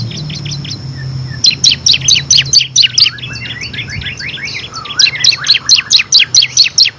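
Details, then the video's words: Bar-winged prinia (ciblek kristal) in rapid continuous 'ngebren' song with six variations, meant to tutor competition songbirds; long strings of quick high downslurred chirps, about two per second, with a brief break midway. "FULL NGEBREN‼️ CIBLEK KRISTAL GACOR ISIAN 6 VARIASI COCOK UNTUK MASTERAN BURUNG PRESTASI"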